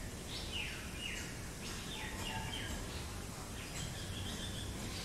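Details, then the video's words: Jungle myna (Acridotheres fuscus) giving a series of harsh, descending whistled notes, several a second, over a steady low rumbling background. "Jungle Myna| Acridotheris fuscus"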